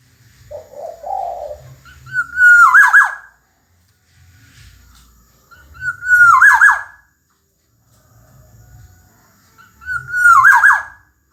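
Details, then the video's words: Three evenly spaced whistled phrases, about four seconds apart, from a chatty gacor Black-naped oriole (kepodang emas). Each is a clear level whistle ending in rolling liquid loops, and a brief lower buzzy note comes early. "Kicau Burung Kepodang Emas Gacor"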